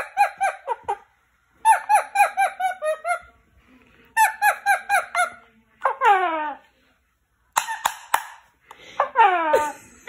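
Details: A pet talking rose-ringed parakeet speaks Russian words in quick, raspy bursts of syllables, three phrases of several beats each, then two descending squawks.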